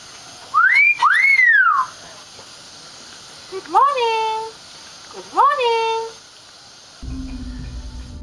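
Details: Talking hill myna mimics human speech in three clear, rich, whistle-like phrases, the greeting "namaste, aap kaise hain?" (hello, how are you?), rising and falling like speech; a low hum comes in at the end; Common hill myna.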